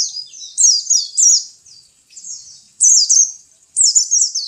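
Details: A pleci, the local name for a white-eye kept as a pet, delivers thin, fast, high chattering phrases of tumbling notes, separated by short quieter pauses.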